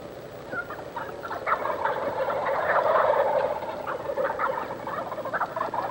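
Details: Several wild turkeys gobble in Stephens State Forest, south-central Iowa, where hundreds live after reintroduction: rapid rattling, throaty bursts that overlap and swell to a peak midway before trailing off, as if answering one another.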